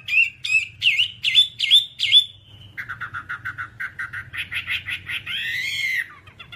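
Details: Whambie singing for a master training recording: six loud, downward-hooked whistles, then a long run of quicker, softer chipping notes. The run builds into a buzzy, falling trill and ends with quick twitters.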